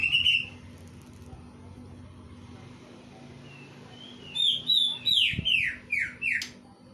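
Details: Greater green leafbird mimicking a kingfisher: after a quiet stretch, a burst of about six loud, sharp, high descending whistled notes in quick succession, over a faint low hum.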